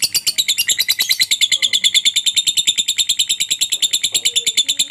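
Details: Lovebird in long ngekek chatter, played to set other lovebirds off calling. Shrill, metallic notes repeat very rapidly and evenly, about three per second, without a break. Faint lower chirps sound in the background.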